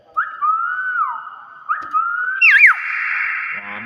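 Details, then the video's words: Hill myna giving clear whistled notes, two long level-then-falling whistles followed by a sharp rising and dipping whistle and a sustained buzzy tone, with people talking nearby indoors. "BEO BAGUS SUARA ASLI"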